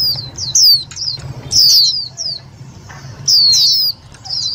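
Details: Indian white-eye calls used as a lure for trapping and stimulating other white-eyes: loud, clear, high descending whistled notes in quick bursts, with a steady low hum underneath.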